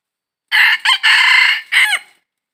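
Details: Red junglefowl, recorded 22 December 2021 while trapping wild birds: a loud, hoarse crow in four segments, the second short, the last ending in a falling tail, over silence.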